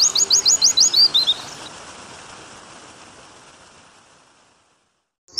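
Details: Pleci (white-eye) 'nembak panjang' master song with water sounds, meant to get birds singing; a quick burst of about eight high, sharp, evenly spaced notes with a short trailing flourish, then a fading hiss and near silence.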